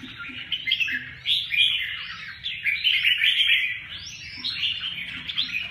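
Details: Red-whiskered bulbul in continuous song, a rapid run of lilting, fluty whistled notes that rise and fall in overlapping phrases with barely any gaps; quiet low background hum.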